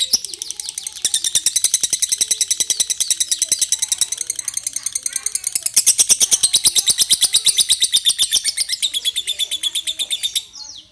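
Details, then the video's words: Lovebird giving a long ngekek trill, the prized extended chatter: about ten seconds of rapid, very even, piercing high pulses running without a break, slightly buzzy, then stopping abruptly. "Love bird ngekek panjang"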